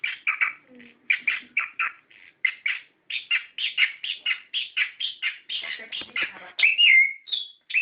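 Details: Orange-headed thrush singing a rapid, varied run of sweet whistled phrases and scratchy notes, used as a lure to spur caged birds into song; short syllables pour out almost continuously, ending in a clear sliding whistle.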